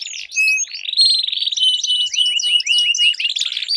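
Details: Duelling canaries sing long rolling phrases together, overlapping high whistles and rapid chattering trills that run without a break through the whole stretch.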